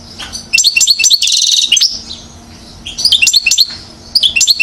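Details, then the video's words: European goldfinch, one year old, Mouzaia, Algeria, 2012: bright twittering notes, a short fast rattling trill, a brief pause, then more high chirping phrases. "chardonneret acrobate 1 an.. (Mouzaia موزاية) Algeria 2012"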